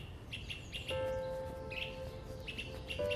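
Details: Orchard oriole singing in Central Park, first mistaken for an indigo bunting or northern waterthrush: quick bright chirped notes in short bursts, partly covered by a steady humming musical tone through most of the recording.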